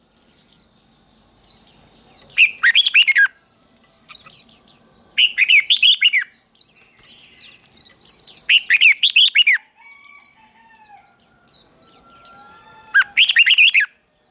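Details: Red-whiskered bulbul singing hót đấu, the fighting-contest song used in training birds: short loud bursts of rich slurred whistles come about every three seconds between stretches of thin high chirping, with a faint steady tone behind.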